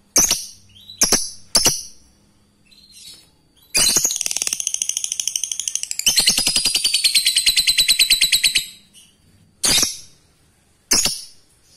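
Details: Male lovebird calling to a female: sharp, very high chirps in short bursts, then a long rapid buzzy chatter of evenly spaced notes for about five seconds, ending with more isolated shrill chirps.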